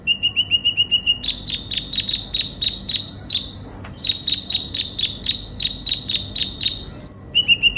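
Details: Sunbird (kolibri ninja) in lively song as a lure for a konin: rapid ringing notes giving way to steady repeated sharp chips, a brief pause, more chips, then a short piercing high note and a closing trill.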